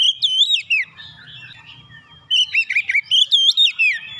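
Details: Kacer (Oriental magpie-robin) heated up by provocation, singing its repertoire. Quick looping whistles are followed by a softer sustained passage, then a dense, fast burst of bright, wavering whistled notes, over a faint low hum.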